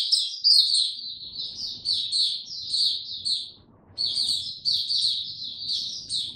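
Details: White-eye on 29 April 2022, no supplements given, singing high thin twittering phrases, pausing briefly near the fourth second before resuming the rapid chirping, with low background rumble.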